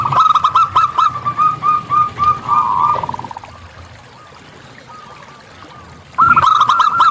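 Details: Local zebra dove singing in the wild, a rapid run of soft cooing notes that merges into a rolling trill and fades, then after a quiet pause a new burst begins.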